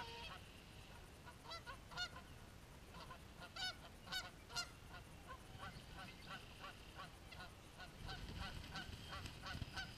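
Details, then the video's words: Geese caught mid-fight: a dense chorus of short, nasal honks repeated rapidly by several birds, with louder calls around the middle and a steady low rumble beneath. "Fighting Geese"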